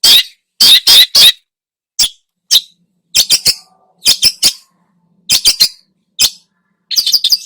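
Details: Long-tailed shrike in full, busy song packed with mimicked phrases, used as a lure to provoke other birds: harsh, scratchy bursts in short groups of two or three, separated by brief silences, quiet background.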